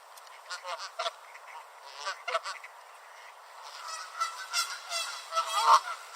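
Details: Canada geese along a beach in Southern Ontario chase each other and honk; scattered nasal honks at first, then a denser, louder run of overlapping honks building toward the end.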